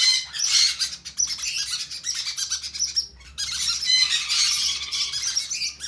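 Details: Conure chicks being hand fed give two long runs of raspy, chattering begging squawks separated by a short pause.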